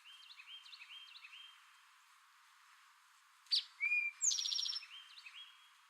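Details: Male Eastern towhee singing its 'drink your tea' song: a sharp note, then a lower slurred whistle, then a fast, buzzy high trill, heard once after about three seconds of quieter chirping from other birds.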